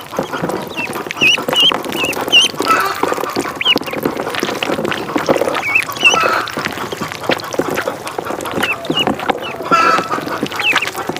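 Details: Duckling at a pond giving short, high, curved peeps in scattered bursts, with a busy background of splashing and clicking noise.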